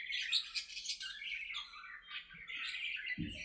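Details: Budgerigars in an aviary chatter as they play, a run of bright twittering and sliding warbled notes, ending with a short low knock.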